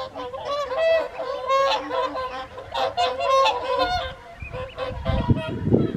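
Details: Whooper swans at the evening feed on the Folly Pond, WWT Caerlaverock, in January 2023: a chorus of many overlapping honking, bugle-like calls with rich harmonics, ending in a low rumbling splash or rustle.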